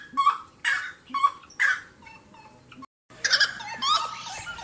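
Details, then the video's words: A wood rail (saracura) gives loud, harsh, raucous calls roughly every half second, then after a brief break a burst of more crowded, overlapping calling. "SARACURA...lindo canto"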